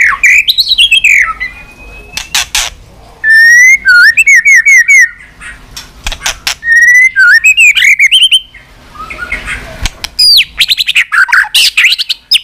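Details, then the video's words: Continuously clicking white-rumped shama singing a multi-voiced fighting song meant to fire up weak birds: bursts of rapid clicks alternate with rising and falling whistled phrases and short pauses. The song runs on for about twelve seconds. "Chòe lửa tạch liên tục"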